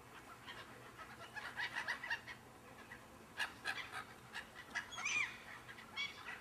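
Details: Gull flock that appeared out of nowhere and circled overhead for twenty minutes; scattered sharp, mewing and yelping cries from several birds, some overlapping in bursts, over a soft background hiss.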